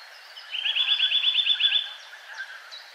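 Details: Winter song of a Eurasian Nuthatch in its faster, more rhythmic form: one rapid trill of about a dozen clear whistled notes, lasting just over a second, then quiet.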